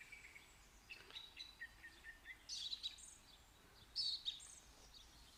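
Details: Soft bird twittering with a short run of lower whistled notes, followed by two louder, rasping high chirp bursts about one and a half seconds apart, over faint background hiss.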